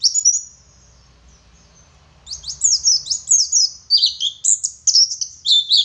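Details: Oriental white-eye, local dakun type from Garut in West Java: a short high phrase, about two seconds of quiet, then an excited ngeriwik outburst of dense, jumbled high twitters and slurred whistles.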